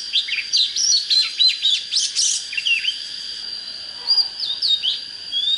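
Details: Oriental magpie-robin in fired-up competition song: a rich, varied run of quick whistled and scratchy phrases, high and lively, over a faint steady high-pitched hum.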